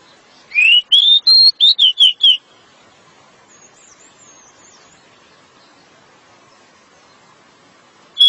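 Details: Pied bushchat (decu) singing densely in the 'nembak rapat' manner: a quick run of about eight rising and falling whistled notes, followed by a long quiet stretch and one more note at the end.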